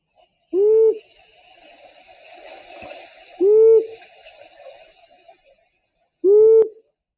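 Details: A long-eared owl gives three low, slightly rising single "whoo" hoots, spaced nearly three seconds apart, over a faint hiss.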